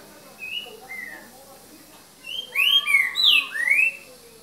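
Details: Green-winged saltator in "boca mole" song style, recorded 3 January 2019 at 7:38 pm: two soft whistled notes, a pause, then a loud run of four or five sweet slurred whistles, each dipping and rising.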